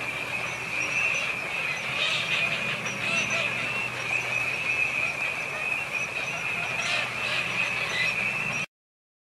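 A wintering flock of Eurasian teal gives a dense chorus of short, ringing high whistles that blend into a steady shimmering sound, with brief louder bursts.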